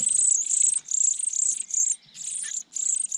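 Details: Sparrow chicks in a nest at the top of a pine tree, filmed close up while parents tend and feed them; thin, high, buzzy hissing bursts of about half a second, repeated with short gaps, one brief lower note near the end.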